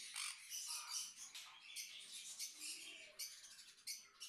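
A sun conure gives harsh, grating screeches in rapid, uneven bursts.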